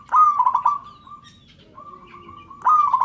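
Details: Calling local zebra dove urging others to join in: a burst of fast, throaty pulsed coos that trails into softer, steady purring notes, before a fresh loud rolling burst begins at the end.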